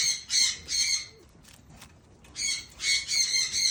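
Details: Blue eared pheasant feeding on green grass, giving a series of harsh, nasal squawks in quick pairs, with a pause in the middle and a closing run of rapid bursts.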